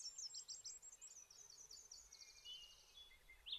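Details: A Bay-breasted Warbler singing and preening on territory in boreal forest in Maine gives a very high, thin, hissy song of quick repeated double notes, dropping slightly in pitch; a faint lower whistle from another bird follows.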